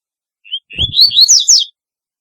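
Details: Double-collared seedeater singing distinctively: a thin high note, then a quick ascending chain of whistled slurs and high sweeping notes lasting about a second, with a low thump near the start.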